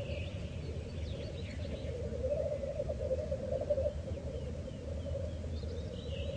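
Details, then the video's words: Lekking black grouse give a sustained, rolling low bubbling that swells slightly mid-way, while faint thin whistles of other birds come and go in the background. "Black Grouse Lek"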